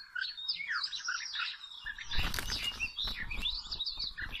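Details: Wild Oriental magpie-robin at a rope trapping site sings quick whistled, chirpy phrases, overlaid midway by loud rustling and thumping handling or wing noise.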